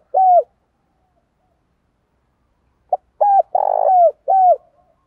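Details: Spotted dove (Spilopelia chinensis) giving low, hollow coos: a single note, then a quick run of three or four soft, rolling cooing notes.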